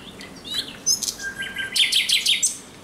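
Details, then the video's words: At night on 17 May 2023 a thrush nightingale sings a jumbled phrase of short whistles and harsh chirps, ending with a few loud clipped notes. "Śpiew słowika rdzawego nocą."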